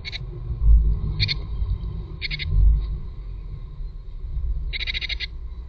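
Tit calls at the nest: five short, high, buzzy bursts at uneven intervals, the last one longer, over a steady low rumble with dull thumps.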